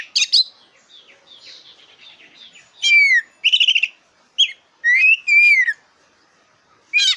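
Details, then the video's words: Black-breasted oriental magpie-robin, a very vocal bird whose song is used to provoke competition birds: loud whistled phrases with falling slurred notes and rapid buzzy trills in bursts, separated by short quieter pauses. "Suara burung kacer dada hitam super gacor cocok buat pancingan lomba burung kacer"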